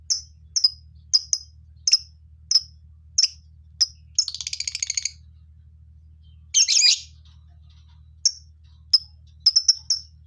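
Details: A lovebird colony chirping: a steady string of short, high chirps about every half second, interrupted by a rattling burst and one loud harsh squawk.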